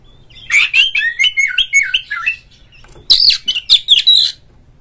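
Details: Oriental magpie-robin song used to stir a kept bird to fight, sing and spread its tail: a fast run of sweet falling whistles, a brief pause, then a harsher, higher scratchy phrase.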